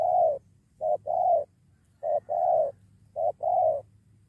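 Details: Spotted dove drawn by a lure and ready to fight: three clear coo pairs, a clipped note followed by a longer slightly falling one, repeated about every one and a half seconds over a low humming background.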